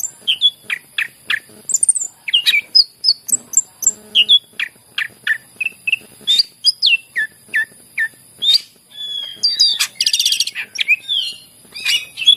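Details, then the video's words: Greater green leafbird song for prompting other leafbirds: long sequence of quick repeated chirps and whistles, rhythmic and insistent, with a harsh buzzy burst near the end. "cucak ijo gacor masteran yang terampuh buat pancingan burung yang lagi susah bunyi"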